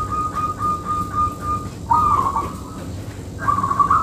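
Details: Zebra dove of a local strain: a long, steady mid-pitched tone lasting over a second, followed by two short warbling, trilled coo phrases, with a soft constant hum behind.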